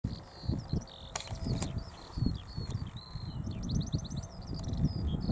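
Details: Eurasian skylark singing in flight over a field at Balsham, UK, on 30 March 2021 around 12:50 pm: a continuous high, rapid warble of chirps and fast trilled runs, over steady low wind rumble and handling thumps.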